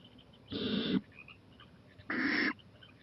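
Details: Owl at night, 11:26 pm on 23 April 2018, venturing onto a porch and eyeing a playground; two harsh, breathy hissing bursts about half a second long, spaced roughly a second and a half apart, over quiet background.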